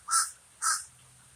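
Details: A common raven gives two short, harsh caws about half a second apart.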